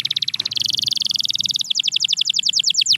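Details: Canary singing to stir a silent canary: a rapid pulsed trill running continuously, turning into slower evenly spaced downslurred notes toward the end.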